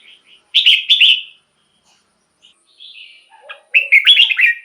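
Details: Red-whiskered bulbul song used to make caged bulbuls lively or as a decoy call: two strong, fluty warbled phrases with quieter whistled notes and a few lower chirps between them.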